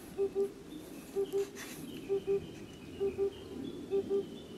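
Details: Oriental cuckoo in Ehime, Japan, early summer 2021, among two calling males and a female. Hollow, low double hoots repeat steadily about once a second, with faint high bird twitters behind.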